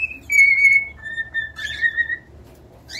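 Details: Cockatiel whistling long drawn-out notes that dip slightly, followed by a buzzy burst and a rising chirp, over low background hum.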